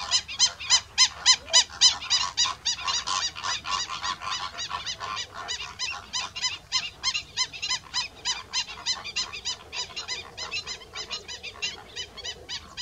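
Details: Greater flamingos (Phoenicopterus roseus) give harsh, goose-like honks, about three or four a second, loud at first, then a steadier, softer chatter from many birds calling together; slender-billed gulls also present.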